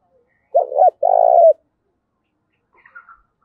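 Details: Spotted dove giving a fight-provoking call in the 'giọng thổ' voice style: a single low coo phrase, a short double note then a longer pulsing coo, followed by faint high chirps from another bird.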